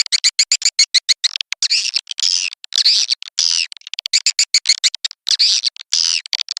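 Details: Swiftlet lure call of the birahi (mating) type, used to attract swiftlets: dense, bright twittering chirps in rapid bursts, some short and clipped, others longer and buzzy, with brief gaps between runs.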